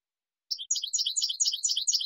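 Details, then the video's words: European goldfinch, Spanish type, clean song recording for training young birds: a quick burst of high, liquid twittering notes, tumbling and jangling without pause after a brief start. Quiet background. "CD CANTO LIMPIO PARA EDUCAR Y CONCURSAR شريط لغة حسون إسباني"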